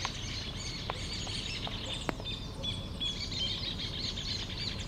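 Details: Small bird singing in the morning at sunrise in Mendoza: quick, high, thin chirps and tweets follow one another almost continuously over a low rumbling background, with a few sharp clicks.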